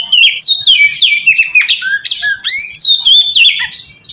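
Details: Lure song from an oriental magpie-robin to draw in other magpie-robins: quick, loud sequence of sweet rising and falling whistles interspersed with harsh scratchy notes, repeated in rapid, uneven phrases.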